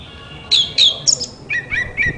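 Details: White-rumped shama singing to provoke other shamas into song: a quiet start, then loud whistled notes, long slides and falling slurs in quick succession.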